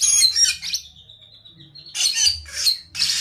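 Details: Orange-headed thrush in full song: a burst of high scratchy chatter, a thin sustained whistle held for about a second, then three quick bursts of harsh, bright twittering.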